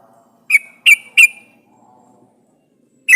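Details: Yellow-vented bulbul (trucukan) in an actively singing lure recording meant to make other bulbuls answer and sing: three sharp, clipped notes in quick succession, a pause, then one more note.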